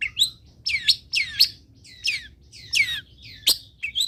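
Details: Tutor song of a long-tailed shrike, played to teach other birds: loud descending slurred notes with buzzy edges, given irregularly at roughly half-second to one-second gaps, with a brief high chirp at the end.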